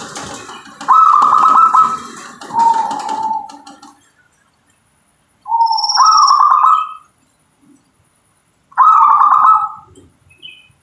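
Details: Local zebra dove cooing in separate bursts: a high trilled note dropping to a lower purr, then two more rising, stuttering trills after silences. Faint rustling noise in the first seconds.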